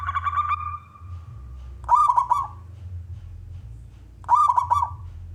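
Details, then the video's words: Male zebra dove, local bird, singing to draw other doves into calling: a held coo followed by two separate rolling, stuttered phrases about two seconds apart, low background hum. "perkutut lokal gacor suara jantan‼️ perkutut gantangan"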